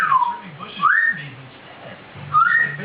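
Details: A 16-year-old hand-raised pet grey parrot, molting and in "spring mode", gives clear whistled mimicry, a falling note and then rising slurred whistles.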